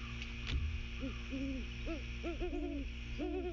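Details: Pair of great horned owls, male and female, giving territory calls at 06:51 on 16 September 2023, Skidaway Island, Georgia, before flying to the nest tree: deep, soft hoots in short overlapping bursts, one voice slightly higher, over a steady low hum.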